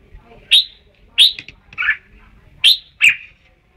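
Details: Sharp, ringing chirps from a Red-whiskered bulbul, two in quick succession, then a burred, husky note, then two more bright clipped notes near the end; low background murmur.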